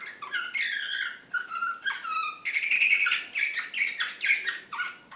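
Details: Belgrade slavujar canary, 2016, described as excited, opening with long level whistled notes, then switching to a rapid buzzy trill and quick falling chirps.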